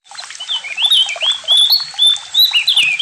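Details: Javan white-eye singing: a lively continuous warble of high sliding whistled notes rising and falling, closely strung together with short buzzy chirps beneath.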